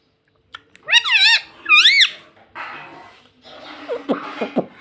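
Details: A pet ringneck parrot gives two loud, wavering, squeaky screeches close together, followed by rustling and a few soft knocking sounds.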